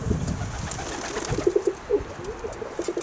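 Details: Kept pigeons cooing in a series of short, low, rounded notes that pulse in quick succession, with soft rustling and handling noises at the start.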